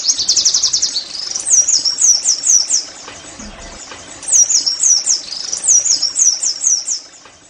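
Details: Oriental white-eye song used to get caged birds singing: an opening fast high trill, then repeated phrases of looping downslurred whistles separated by brief quiet pauses.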